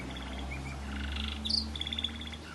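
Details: Variegated red factor canary singing a waterslager melody: a short run of rapid trilled notes with a bright, high rippling phrase near the end, over a steady low mechanical hum.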